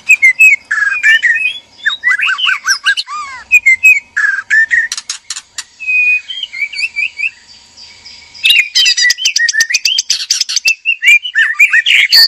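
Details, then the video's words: Male and female white-rumped shama in a captive breeding cage, mating call: rich varied whistled phrases, rising and falling slurs, rapid repeated notes and buzzy rattling bursts, with brief pauses between phrases. "PANCINGAN BIRAHI KAWIN MURAI BATU JANTAN DAN MURAI BATU BETINA DIKANDANG PENANGKARAN"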